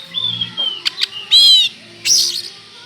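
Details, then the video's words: Oriental magpie-robin in full song, used as a lure to provoke another magpie-robin: a long, thin, level whistle, then short rising notes and two loud harsh, buzzy bursts. "pancingan burung Kacer gacor ini bisa mendobrak emosi Kacer anda"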